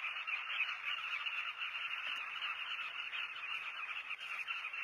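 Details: Southern carmine bee-eaters crowding a breeding colony in South Luangwa, Zambia, recorded from a hide: an unbroken chorus of rolling, guttural calls from numerous birds, even in loudness.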